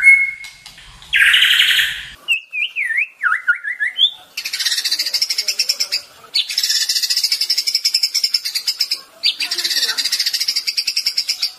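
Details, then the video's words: White-rumped shama training song: a brief whistle and a harsh buzzy burst, a zigzag run of whistled notes, then long, rapid rattling trills broken by short pauses. "Masteran Murai Batu Durasi Panjang Untuk Pagi Hari"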